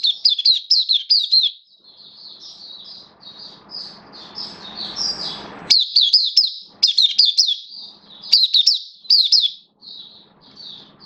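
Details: Caged oriental white-eye, 11 September 2022, form dipped a little; repeated bursts of rapid, high twittering chirps alternating with softer sustained whistled notes, steady for over ten seconds with faint low indoor hum.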